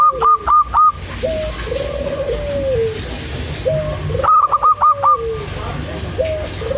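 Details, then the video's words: Zebra dove, a local bird, calling to provoke silent doves into song: short bursts of four quick staccato coos, between them lower slurred cooing phrases, steady background hum. "PANCINGAN AMPUH 💯 % UNTUK PERKUTUT MALAS BUNYI‼️ PERKUTUT LOKAL GACOR DOOR"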